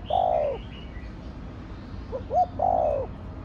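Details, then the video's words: Spotted dove (cu đất) cooing in the thổ đồng style. A long falling coo sounds, then after a pause two quick short notes lead into a second long, descending coo. "Cu gáy giọng Thổ Đồng Thúc, Gù kích bổi nhanh nổi/ tiếng chim cu gáy giọng thổ đồng gáy, cu đất gáy"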